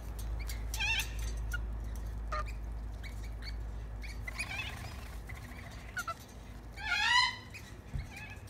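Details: Tame lorikeets feeding on bread give harsh, buzzy screeches with ringing overtones, one burst near the start and a louder rising one later, over a steady low rumble.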